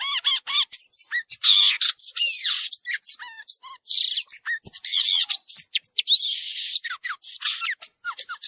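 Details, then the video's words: Violaceous euphonia in the wild delivering a long, rich medley of high whistles, harsh buzzes, rapid chatter and descending slurred notes, almost without pause. "Gaturamo verdadeiro cantando na natureza"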